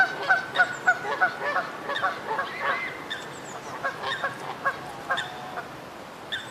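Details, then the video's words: Canada goose honking in a quick series of clipped, nasal notes about three per second, loud at first then softer and more scattered, with faint high chirps from small birds in the background. "SOUND OF A CANADA GOOSE 🔊 What does a canada goose sound"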